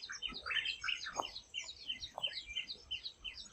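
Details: Tickell's blue flycatcher in Indian forest canopy, filmed with a Nikon Z8 camera: rapid high chirps and short tweets repeated about three a second, overlapping in a busy stream, with a few lower notes beneath.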